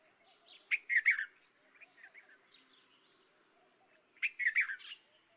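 Red-vented bulbul giving two bursts of cheery, bubbling chirps about three seconds apart, with a few softer notes between and faint low murmurs behind.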